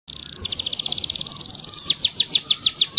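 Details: Canary song for training canaries to sing and roll: a quick double-toned trill, a fast even roll, then several clear downslurred whistled notes repeated steadily at the end.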